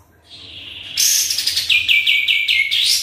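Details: Energetic sooty-headed bulbul lure song: a soft lead-in, then a loud harsh burst dropping into a rapid string of clipped, repeated notes that ends with a rising flourish.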